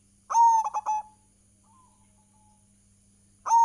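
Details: Zebra dove of local stock singing a lure song to prompt other doves: one soft, ringing phrase of a held note and three rapid clipped notes, then a pause before the next phrase starts, with a low background hum.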